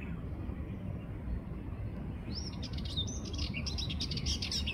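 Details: A Sardinian warbler (Curruca melanocephala) at 5:29 am on 6 June 2024 gives a fast, scratchy, high-pitched chattering phrase in its second half, over steady low rumbling background noise.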